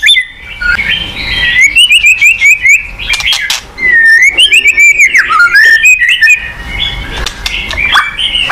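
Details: White-rumped shama song played to coax a silent murai batu into singing: a flowing stream of fluty whistles that rise and fall, mixed with rapid high clicks and ticking notes, and a short lull midway.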